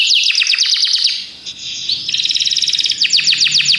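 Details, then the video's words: Belgian canaries singing: a fast series of bright downward-sweeping notes, a brief softer gliding phrase, then a rapid buzzy trill and more quick descending whistles, all high-pitched and continuous. "Os canários belgas cantam espetacularmente"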